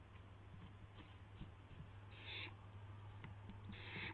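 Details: Barn owl at a nest camera shortly after midnight on 12 April 2016 as an owlet tests its wings; two harsh hissing screeches late in the clip, preceded by soft scratching and tapping over a low hum.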